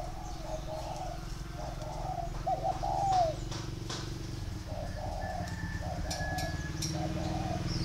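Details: Captive-bred tame spotted dove cooing through steady background hum: mellow repeated hoots with one clearer falling slur in the middle, later phrases fainter.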